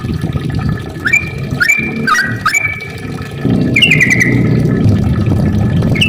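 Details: Yellow-vented bulbul song, used to lure other bulbuls into singing. Sparse, liquid whistled phrases rise and fall against a loud low rumble that grows stronger halfway through.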